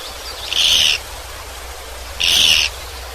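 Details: Japanese pygmy woodpecker, a small resident bird breeding throughout Korea, giving two short, harsh, buzzy calls about 1.7 seconds apart over a steady low hum.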